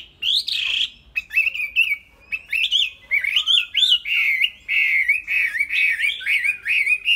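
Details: Cage-kept tame Chinese hwamei pouring out a loud, continuous song of looping whistled notes that rise and fall in quick waves, with a few sharp accented notes early on.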